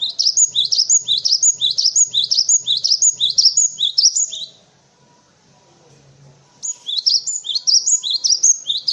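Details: Tutor song of a cinereous tit for white-eyes and other birds: a fast, steady series of high, bouncing two-part notes, about a dozen, then a brief gap before the same rapid phrase resumes.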